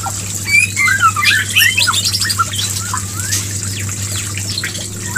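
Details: White-rumped shama mating call meant to bring a female into breeding condition: dense, rapid chatter of sharp squeaky notes and downslurred whistles, loud at first and then softer, with a steady low hum behind.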